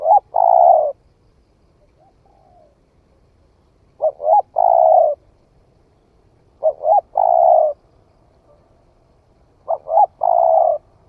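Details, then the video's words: Vietnamese spotted dove just starting to call, tested in the forest, gives a steady series of three-part phrases: two quick hollow coos and a drawn-out, purring final note, about every three seconds. "Tiếng chim cu gáy mới nổi thử rừng"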